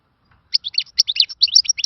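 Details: A short European goldfinch song phrase in the khalawi style: quick, sharp chirps and liquid twitters following one another rapidly after a brief silence at the start.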